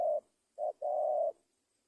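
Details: Spotted dove in full voice giving one brief coo phrase: a short hoot, a pause, a quick note, then a drawn-out, steady, mellow coo, against near silence.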